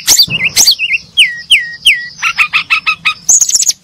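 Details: Brown-chested jungle flycatchers chirping: sharp high notes, then a run of descending whistled swoops, followed by a fast series of short buzzy chirps and a final high trill.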